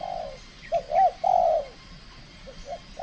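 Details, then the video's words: Aggressive trained spotted dove in its debut calling contest: a falling coo, then a quick note, a bowed hoot and a long drawn-out coo, followed by softer short notes. "TEKUKUR SI BINTANG PERDANA LAGA LANSUNG KELUARKAN SKIL NYA"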